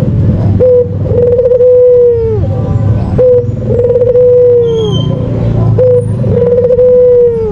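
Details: White dove lure call used to prompt kept birds, from Indonesia: a long, steady, mellow coo with a slight trill, given three times about every two and a half seconds over a constant low engine-like rumble.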